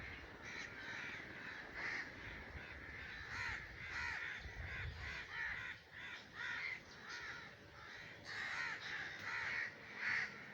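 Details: Common raven in breeding season giving harsh, hoarse croaking caws in uneven bursts, often two or three a second, with steady low background hiss.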